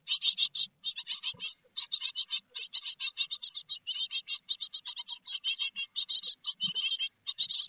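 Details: Inside a great tit nest box at Théding, France, on 4 May 2021, peanut on the menu: continuous rapid high-pitched chatter of buzzy notes, with occasional dull knocks.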